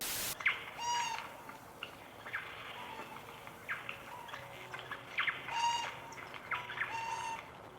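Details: Eurasian Jay raising a loud alarm on seeing a predator or a person, warning other forest dwellers: a few sharp, nasal, harmonic calls at wide intervals over a faint background of other birds.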